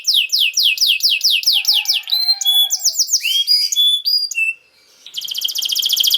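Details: Canary song used to get young canaries singing: a regular series of falling whistled notes, then mixed clipped and rising whistles, a short pause and a rapid high buzzy trill.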